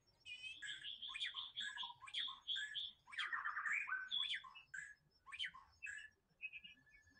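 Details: Free-living white-rumped shama pouring out a fast series of sharp, varied chips and whistled notes, with faint low background rumble.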